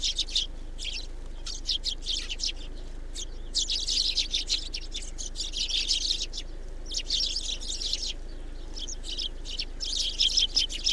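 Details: A flock of Eurasian tree sparrows at a snowy garden feeder in Recke, Germany, on 7 February 2021 chirps in dense, overlapping bursts of short, bright notes over a steady low hum.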